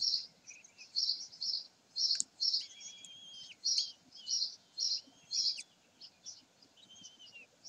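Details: Common kestrels on 27 May 2020 give a series of high, sharp notes about twice a second, with thin, drawn-out whistles weaving between them.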